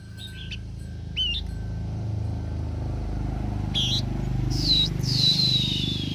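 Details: A very tame blue-winged minla gives scattered high, thin whistled notes, ending in a longer falling whistle, over a steady low engine rumble.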